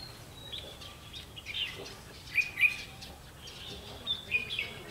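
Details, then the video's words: Red-whiskered bulbul of the fiery eye-rim type, recorded during bird trapping on 31 October 2016: short, bright chirped notes in quick clusters, with louder burbling phrases near the end over a steady outdoor hiss and faint other birds. "Bẫy chào mào mí lửa"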